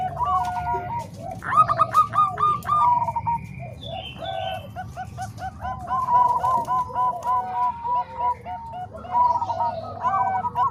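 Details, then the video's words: Training mix of Bangkok and Cemani Kolbuntet zebra doves: bursts of rapid, bubbling coos from many overlapping birds, separated by short lulls, with faint higher chirps and a constant low hum. "Suara Kombinasi Perkutut Bangkok Dan Cemani Kolbuntet|Untuk Masteran Semua Jenis Perkutut"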